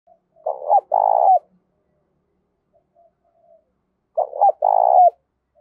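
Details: Spotted dove calling in the 'giọng thổ' voice style with a touch of 'đồng'; two deep cooing phrases about four seconds apart, each a few short stuttered notes then a long rolling coo that dips at the end.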